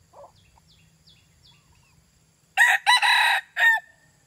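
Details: A red junglefowl crows loudly and hoarsely for about one second: a short opening note, a long harsh middle, and a clipped final note, with faint small-bird chirps before it.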